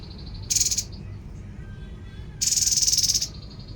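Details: Babbler (tepus) calling with a short harsh buzz, then a longer rapidly pulsed rattle lasting nearly a second, over a steady high thin whine.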